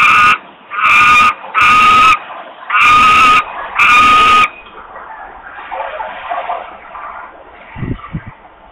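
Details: Osprey in Włocławek, Poland, very hungry and begging for food, 8 August 2021, early afternoon: five strident, even-pitched screams in quick succession, then quieter rustling background noise and a faint low thump.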